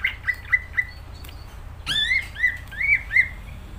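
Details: Energetic greater green leafbird song: four evenly spaced clear whistles open the run. A sharp, harsh burst with high overtones follows, then a string of rich, warbled whistled notes rising and falling in pitch.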